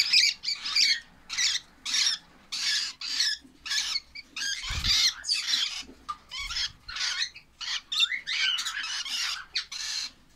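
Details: Baby lovebirds giving steady runs of short, raspy calls, about one or two per second, with a couple of faint low thuds.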